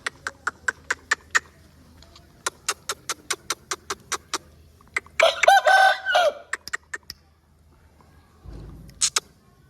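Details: Long-tailed Aseel rooster crowing once, a loud harsh drawn-out crow lasting about a second and a half. A run of sharp rhythmic clicks comes before it, and a brief low rumble and a click follow.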